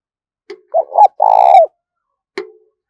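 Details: Decoy spotted dove cooing to lure other doves: a soft click, a quick two-part hoarse coo, then a long vibrating drawn-out coo, followed by another sharp click.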